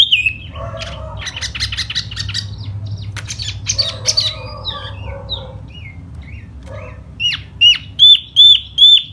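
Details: Silver-eared laughingthrush (tiểu mi) in spring, hót xoè display singing: a mix of harsh chatter and soft warbling, finishing with four loud, clear whistled notes at a steady pace.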